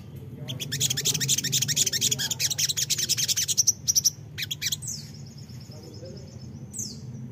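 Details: Crimson sunbird, locally sogok ontong, singing as a lure for wild birds: a fast run of sharp high chirps, then brief pauses and thin, drawn-out high whistles, over a low background hum.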